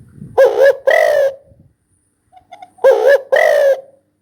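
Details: Spotted dove giving two loud cooing phrases, each a short double-noted coo followed by a longer falling coo, separated by about two seconds of near silence.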